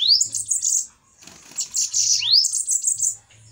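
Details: Dueling bananaquits: two shrill, buzzy trill phrases, each opening with a sharp rising sweep, separated by a short quieter scratchy passage.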